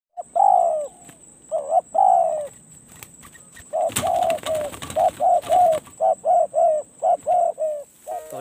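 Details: Spotted dove, a decoy bird taken out to a forest trapping site, giving a long run of hoarse two-part coos, each phrase a short note then a drawn, slightly falling coo, with a loud clatter midway and a steady thin whine throughout.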